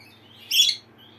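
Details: Pet lineolated parakeet (barred parakeet) reacting to a playback of its own contact call: a single short, bright chirp rising into a high squeaky burst, under a second long, in a quiet indoor room.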